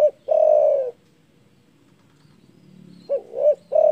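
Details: Spotted dove with a big, rival-provoking voice: one long falling coo ends a phrase, then after a two-second silence a new phrase opens with two short hooting notes and the next drawn coo.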